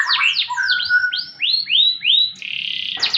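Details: Canary singing a varied phrase: a series of bright downward-sweeping whistled notes repeated about every quarter second over a lower steady tone, ending in a fast buzzy trill.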